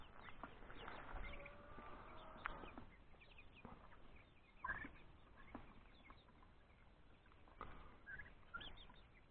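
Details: Free-range chickens resting in July in shade under ferns for sun protection, giving soft, low clucks and occasional short sharper notes at irregular intervals, faint against rustling background.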